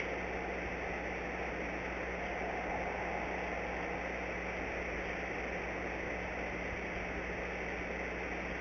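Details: Steady electrical hum under a constant broad hiss, with no animal calls.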